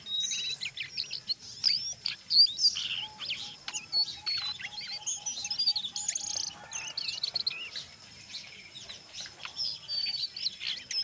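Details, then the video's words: Brown jongkangan in lively chattering song mixing ngeriwik and ngeplong styles, used as a lure to get other jongkangan singing: rapid high squeaky notes, twittery bursts and sharp chips tumbling irregularly, with a faint steady low note in the middle. "SUARA BURUNG JONGKANGAN COKLAT NGERIWIK GACOR"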